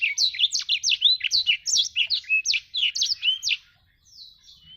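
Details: Black-throated canary singing energetically: an unbroken string of quick, looping high whistled notes for about three and a half seconds, then fading into quiet, thin notes.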